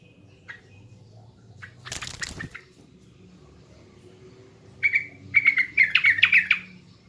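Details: A sooty-headed bulbul from East Java, heard as a lure song: a loud rustling flurry early on, then a lively burst of liquid, warbling whistles near the end.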